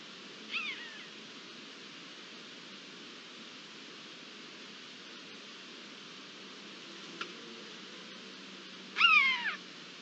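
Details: Eurasian jay imitating a common buzzard, recorded 22 March 2022: two drawn-out, down-slurred mewing cries about eight seconds apart, with a single sharp click between them.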